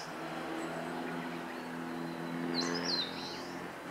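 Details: Eastern crowned warbler singing on 26 April 2014, giving one brief, high, sweeping song phrase ending in a buzzy slur, over a steady low engine-like hum.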